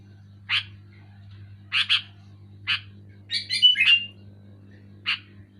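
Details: Sooty-headed bulbul calling loudly: short separate chirps spaced about a second apart, with one brief run of bubbly, slurred whistled notes midway, over a constant low electrical hum.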